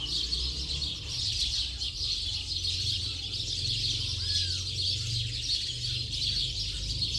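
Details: Late-afternoon house sparrow flock chattering nonstop, many overlapping high chirps blending into a bright wash, with a low droning hum underneath and one brief arched whistle midway.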